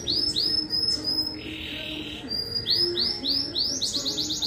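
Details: Competition song of a domestic Belgian canary of the fibra line at a 12th-edition contest in Juiz de Fora, Brazil: rapid series of upward-swept chirped notes, a buzzy held tone in the middle, then quick rising notes and a high rolling trill.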